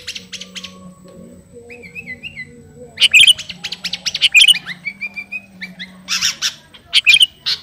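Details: Sooty-headed bulbul of the garuda kind calling a rival: quiet wavering whistled notes at first, then loud sharp chirp clusters alternating with short falling whistles, faint steady hum behind.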